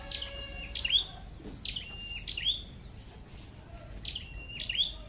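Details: Flowerpecker, red-headed type, at a trapping site: thin, high doubled calls, a quick descending note with a short level buzz then a sharp metallic tick, repeated roughly every second and a half against quiet low rumble.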